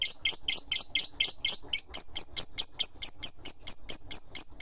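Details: Lovebird singing ngekek, evenly spaced bright, high chirps repeated about four times a second without pause.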